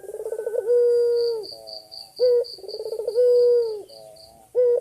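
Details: Male white dove calling the female, energetic gacor dor berkua style: a stuttering pulsed opening runs into a long, steady low coo, then a short sharp upturned note. The phrase repeats twice, with faint high rhythmic ticking behind.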